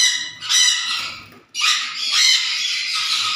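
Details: Black-capped conure uttering two loud, rough squawking bursts separated by a brief silence, each harsh and noisy, the second drawn out longer.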